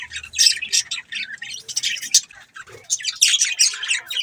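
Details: Pet budgerigars twitter rapidly and without a break: high, scratchy chirps and squeaky notes pile on top of each other for the whole stretch.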